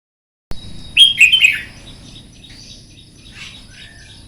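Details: Red-whiskered bulbul giving a morning fire-up contest song for training birds to sing in song contests: one loud, quick warbled phrase of bubbling, wavering whistles lasting about half a second, followed by faint distant chirps.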